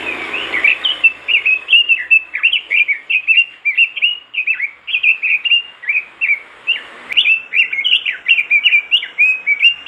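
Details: Robin in energetic song meant to make other robins join in: a continuous stream of quick, high, bouncy chirped notes, about three per second, with brief breaks between phrases.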